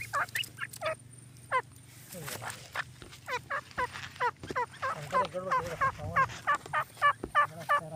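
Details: Purebred partridge: after a man speaks briefly, a steady series of loud, ringing, hooked notes about three per second, each note with stacked overtones, continues over a low hum.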